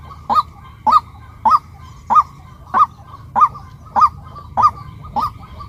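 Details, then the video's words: Female white-breasted waterhen giving a steady series of nine short, nasal honking notes, one roughly every 0.6 seconds, each note briefly rising then falling, over a faint low hum. "เสียงนกกวักตัวเมีย เสียงนกไก่นาตัวเมีย เสียงนกกวัก"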